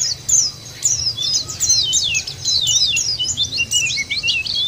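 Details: White-eye lure recording meant to make caged birds sing: a quick run of high, sharp, zigzagging chirps, continuous and lively, over a low steady hum.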